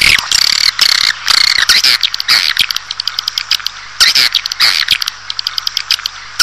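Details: Swiftlet lure call meant to draw a colony of swiftlets into a nesting building; dense bursts of sharp high chirps and twittering, repeated in loud pulses with brief gaps between them.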